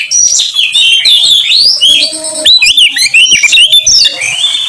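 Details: Kacer (Oriental magpie-robin) lure singing used to trigger song in other birds: fast, varied whistled phrases with wavering up-and-down slurs and short sharp notes, nearly continuous.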